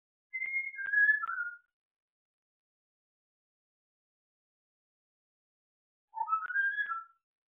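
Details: African grey parrot, a pet, whistling "Bella ciao" as rehearsal: a descending phrase of clear notes, a long gap, then an ascending phrase of bright whistles climbing and settling, heard in a quiet room.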